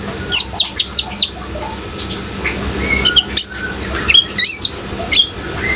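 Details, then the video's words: Energetic Brown-throated sunbird singing above running water: a quick series of four high twittering notes opens, then scattered short whistles and chirps, some dropping in pitch, over soft constant water noise. "suara kolibri ninja gacor dan suara air"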